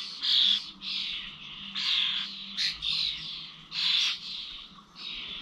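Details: Common starlings at the old village feeders in Corby, 21 November: a series of loud, rasping, buzzy squawks in separate bursts roughly every second, several birds overlapping.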